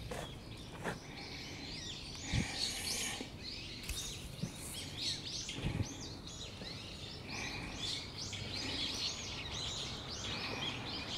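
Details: Raptor alarm from brown-eared bulbuls, 14 November 2013: a dense chorus of many overlapping high arched whistles, repeated quickly and unevenly throughout, with several callers and some low thumps and background noise.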